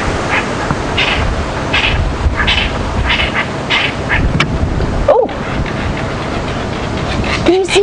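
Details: Lilac-breasted rollers give harsh, rasping calls in quick bursts about every half second, shouting angrily while chasing a hoopoe for no apparent reason on a game drive at Djuma Game Reserve; a man speaks briefly near the end.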